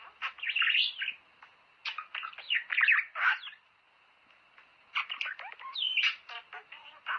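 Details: Budgerigar warbling, played to stimulate breeding: busy mix of clicks, short chirps and rising whistled notes in two long phrases separated by a brief pause.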